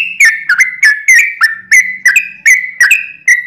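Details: Yellow-vented bulbul (Pycnonotus goiavier) giving a long rolling song, used as a lure to make other bulbuls sing: loud, bubbly whistled notes, about three per second, each with a sharp start and a slight dip.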